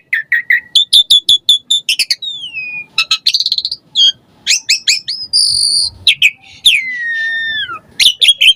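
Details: Lure song of an Asian pied starling meant to prompt caged starlings to sing: rapid chattering trills, a long falling whistle, buzzy rattles and clear downslurred whistles in a dense varied sequence.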